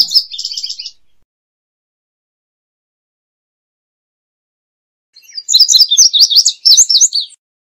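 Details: Passerina cyanea singing: the tail of one strophe, then after a pause a fuller phrase of sharp, high paired notes sliding up and down over about two seconds.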